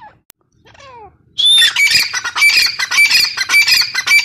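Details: Female grey francolin (Irani teetar): faint, thin, descending chirps, then a loud series of harsh, grating calls with a ringing overtone, repeated rapidly and somewhat unevenly.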